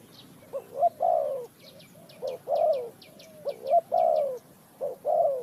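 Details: Spotted dove used in bird trapping in Ninh Thuận, Vietnam, cooing in short bursts, two clipped notes then a long falling croon, four times; a quick run of sharp, high ticks from another bird sounds alongside.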